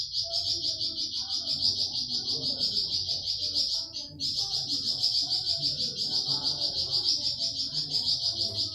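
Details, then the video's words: Flamboyan bird singing a rapid 'tembakan' burst, used as master recording for training pet songbirds: dense, high, buzzy trill held almost without break, briefly pausing near the middle, over a faint low murmur. "Tembakan Burung flamboyan"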